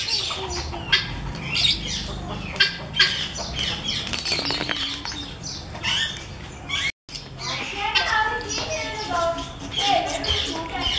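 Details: A breeder pair of helmeted guineafowl give harsh, grating squawks and cackles in quick, uneven bursts, overlapping almost continuously; other bird chatter and possibly a human voice are mixed in.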